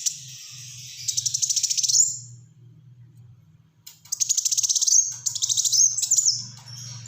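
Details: Two long bursts of rapid, buzzy high trills with a few sharp whistled accents from a Black-throated sunbird in dense 'tembakan rapat' song, split by a near-silent pause and backed by a steady low hum.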